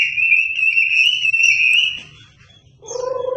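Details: Wambi song used to tutor shamas: a loud sustained warbling whistle near one steady pitch for two seconds, then a pause and a lower rich fluty phrase.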